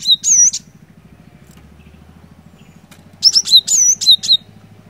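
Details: Cinereous tit in full, lively song, used to stir a silent bird into singing: two bursts of high, sharply sweeping whistled and chattering notes, separated by a pause, over a steady low pulsing engine-like hum.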